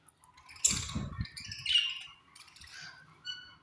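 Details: Colony budgerigars at feeding time give a sharp squawk beside a low rustling patter, followed by a few short chirps and thin, drawn-out whistled notes.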